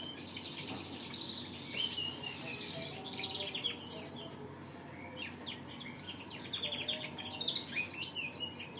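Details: A canary sings a long, varied song. Sweeping whistles and buzzy rolling trills are broken by brief pauses, with a louder burst of notes near the end.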